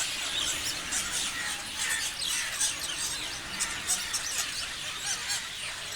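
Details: A group of parrots chattering nonstop, with many shrill squeaks and short chirps layered over one another in a busy, unbroken chorus.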